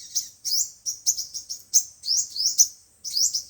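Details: Sunbirds, the kinds locally called five-colour and seven-colour, in a recording played through a speaker to lure wild birds for trapping: rapid, very high, thin chirps and short rising sweeps in quick bursts, separated by brief gaps.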